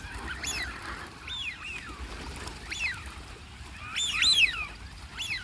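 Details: Ducks calling: a series of short, arched, harmonic honking notes in loose bursts about a second apart, several overlapping near the end, over steady low background rumble.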